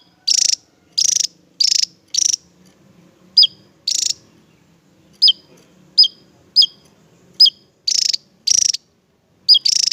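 Javan tesia giving a run of sharp, very high notes, some buzzy bursts and some thin downslurred whistles, spaced roughly every half-second, with only a faint background hum.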